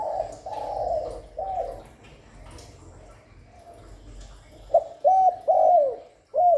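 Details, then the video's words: Calls of a spotted dove for luring and stimulating doves: fading coos early on, then after a quiet stretch a bright phrase of three coos rising to a long slurred note, plus a final single coo. "Tiếng Cu Gáy GọI, Cu Thúc, Cu Gù liên tục không tạp âm, kích bổi hiệu quả"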